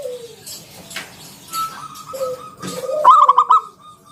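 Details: Local zebra dove song in 'ngalun kung bulat' style, played to draw other doves into song: after quiet sliding coos and a faint steady tone, one loud rapid run of pulsed coos, then fading.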